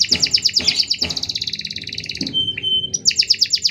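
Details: Canary song for training or provoking other canaries: a fast pulsing trill repeated nearly three times a second, a brief pure whistled tone, then the trill returns, with occasional clicks underneath.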